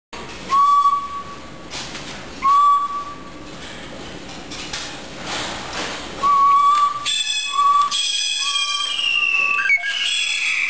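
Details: Captive research blue jay "Willy" in a lab gives clear, steady mid-pitched whistles about half a second long, repeated four times at uneven gaps; thin high chirps and tones join near the end.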